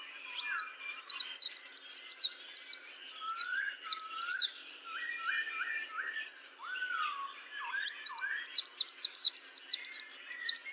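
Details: White-eye singing two bursts of fast, high, down-slurred notes, several per second, separated by a pause filled with lower slurred whistles from another bird.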